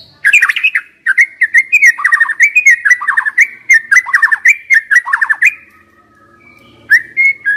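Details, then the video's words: Young wild white-rumped shama, recorded as a lure to get stressed, silent birds singing, delivers a dense run of rich whistles and quick rolling trills for about five seconds, a pause, then two clear whistled notes. "Pancingan MURAI BATU Muda Hutan"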